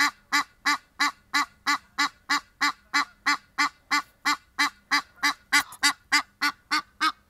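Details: Wild-living Egyptian geese outside, giving a steady run of about twenty loud, raspy honks, evenly paced at roughly three each second, with no pause.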